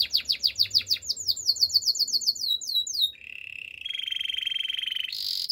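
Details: Singing canary delivers a series of loud, quick, downward-slurred notes, then shifts into a sustained buzzy trill and ends with a brief high burst.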